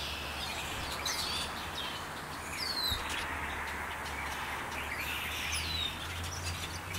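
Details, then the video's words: Birds chirping in a backyard, said to go on for hours: scattered thin, high chirps and short sliding whistles over a steady low hum and background noise. "Birds chirping"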